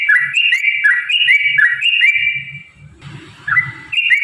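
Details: Lively song of a yellow-vented bulbul, played to prompt other bulbuls to sing: a string of quick, bouncy whistled notes in a rolling rhythm, then a short noisy break and two more notes, with faint low rumbling.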